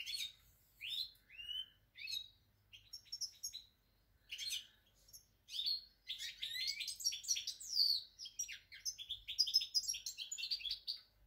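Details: Goldfinch singing, recorded 8 February 2020. Short liquid chirps and slurred whistles open the phrase, then build into a long, rapid run of jangling twitters and trills.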